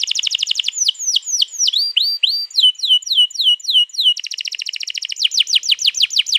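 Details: Canary in long rolling song used to prompt another canary, recorded 21 April 2022: rapid trill, then varied looping whistled notes, a dense roll and fast falling notes.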